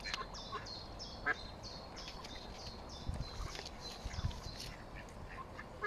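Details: Nine mallard ducklings on their first swim with their parents, Smithspool, Fenton, Stoke-on-Trent, 15 April 2022: a busy chorus of thin, high, down-slurred peeps, overlapping, over a low rumble of water and wind.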